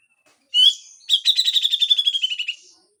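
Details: Grey-cheeked bulbul giving a harsh besetan phrase: a loud opening note, then a fast, even rattle of about fifteen sharp, high, clipped notes that fades over a second and a half.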